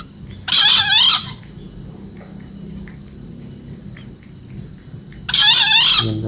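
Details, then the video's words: Young green junglefowl, 4 months old, crowing twice, about five seconds apart. Each crow is a brief, rasping, high-pitched burst, and a quiet hum fills the gap. "kokok ayam hutan Hijau 4 bulan"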